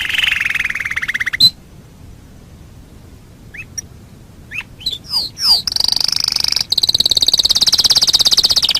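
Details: Canary tutoring song: a fast trill, a silent gap with scattered upward-swept notes, then a long, very rapid high trill that continues at a steady pulse to the end.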